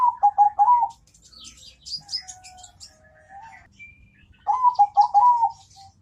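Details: Zebra dove singing, its voice described as thick and melodious: trilled phrases of quick bubbling coos around a low steady pitch, with other small birds chirping high in the background between phrases.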